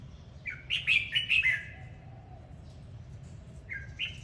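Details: Red-whiskered bulbul, hót múa style of singing while dancing: a fast, loud string of five bubbly, yodelling notes, a gap, then two softer notes starting another phrase.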